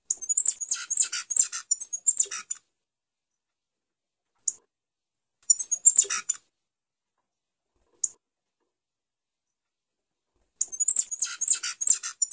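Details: A Pileated Finch sings at length: very high, thin, rapid chattering phrases of about two seconds, repeated every five seconds, with single sharp notes between them.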